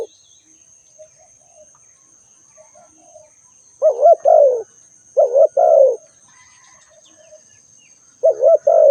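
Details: Spotted dove calling amid soft, scattered notes of other birds: two full husky coo-croo phrases about a second and a half apart, then the start of a third, each ending in a drawn-out falling note.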